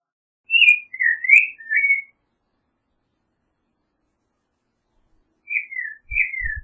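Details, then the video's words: Creamy-bellied thrush delivering a short phrase of four slurred whistles, a long pause, then two more whistled notes, with faint low knocks near the end. "Zorzal Chalchalero Canto - Creamy-bellied Thrush Song - Turdus Amaurochalinus"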